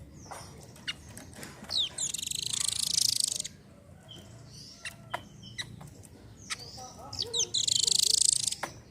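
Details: Velvet-fronted nuthatch song, meant to prompt other birds to sing: two bursts of a rapid, very high rattling trill, each about one and a half seconds long, separated by sharp chips and thin whistles.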